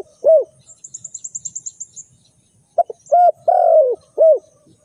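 Spotted dove giving soft, low hooted coos in a short uneven phrase, with a thin high trill from another small bird between notes.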